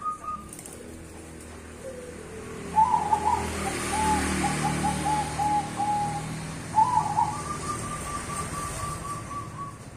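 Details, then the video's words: Cemani and Bangkok zebra doves in duet, giving fluttering cooing bursts followed by long level trilled notes, against low rumbling background noise. "duet perkutut cemani dan Bangkok"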